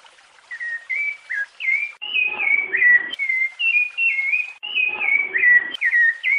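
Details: Piedade-style song of a rufous-bellied thrush, recorded for tutoring young birds: clear whistled notes linked into short rising and falling phrases, broken by brief gaps, with a few faint lower rustling sounds beneath.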